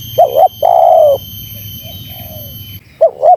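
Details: Spotted dove (terkukur) call used to provoke wild doves: a short double-humped coo, a long steady slightly falling coo, then a faint trailing note and another double coo, with a thin constant electronic whine behind.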